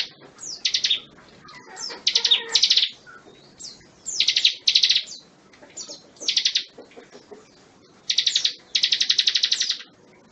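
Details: Bar-winged prinia song, used as a tutor recording for magpie-robins: high, rapid bursts of repeated sharp notes in short phrases about a second apart, each phrase a quick chattering trill, with pauses between.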